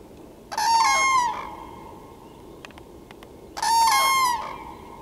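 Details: Loud trumpeting of common cranes. Two strong, harmonic-rich bugled calls, each nearly a second long, are spaced about three seconds apart, with faint ticking and steady low hiss between them.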